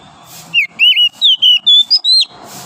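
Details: Morning singing of a wild forest oriental magpie-robin: seven loud, pure whistled notes in quick succession, slurred and gradually rising in pitch, set against faint background hiss.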